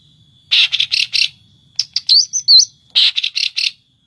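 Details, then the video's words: Cendet, or long-tailed shrike, from Indonesian songbird keepers' 2020 competition material, imitating other species. Four harsh buzzy rasps are followed by thin wavering whistled notes, then four more rasping bursts. "Materi Cendet / Long Tailed Shike"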